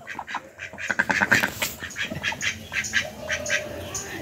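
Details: A white male domestic duck (drake), just caught and released and apparently angry, gives a quick run of hoarse, raspy quacks, several each second, then looser bursts; a man's voice is heard faintly alongside.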